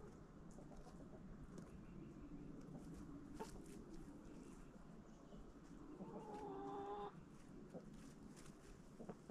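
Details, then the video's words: Backyard flock eating pumpkin in autumn: faint scattered pecking and low murmurs, then a louder drawn-out tonal hen call near the end amid steady background hiss. "Relaxing Sounds of Chickens Eating"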